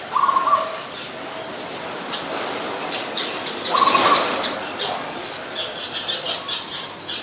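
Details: Adult zebra dove at Ubon Ratchathani, Thailand, 24 December 2020: two brief rapid trilled coo bursts about four seconds apart, over busy background noise with a burst of rustling and several high bird chirps near the end.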